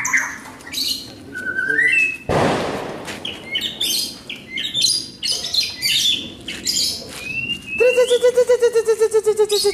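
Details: White-rumped shama in training, giving whistled and chirping phrases broken by a brief burst of noise, then ending in a fast run of harsh repeated notes, about seven each second.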